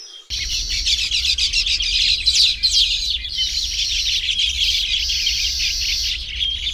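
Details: Nesting Baya weavers in the tropics give a dense, continuous chatter of high, buzzy chirps and wheezy notes. Several birds overlap with no pauses, over a low rumbling background.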